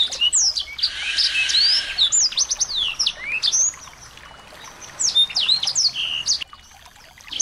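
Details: Chorus of small birds used to stir a white-rumped shama into song: bright slurred whistles and fast chips over a hissing buzzy burst, fading into a softer stretch before a brief return of chirps.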